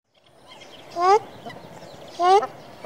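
A ruddy shelduck gives two loud, nasal, goose-like honks about a second apart, each rising slightly, over a faint background hiss.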